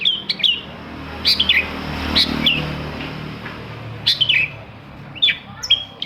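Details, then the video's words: Long-tailed shrike singing to stir other shrikes into song, with scattered clusters of thin high chirps and quick downward-slurred notes separated by pauses, against a constant low background drone. "TOETAN BURUNG CENDET INI COCOK BANGET UNTUK MENAIKKAN EMOS1 CENDET YANG MACET AGAR MAU BUNYI"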